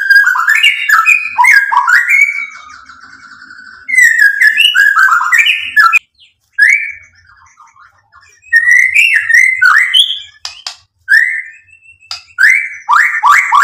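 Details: White-rumped shama song used to stir other birds into singing: bursts of quick varied whistles and chattering notes, broken by pauses, with a softer fading passage midway.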